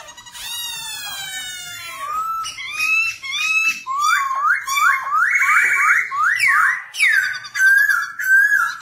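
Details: Black-throated laughingthrush singing and dancing, a song tutor for young birds: a long harmonic-rich nasal note, then repeated rising whistles and a fast series of looping slurred phrases, ending in swooping calls.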